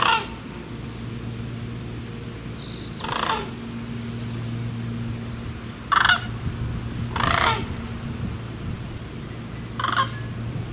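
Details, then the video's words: Sandhill cranes call in several brief rattling bursts spread over ten seconds, with faint high chirps from a small bird early on and a low droning hum throughout. "Sandhill Cranes Calling"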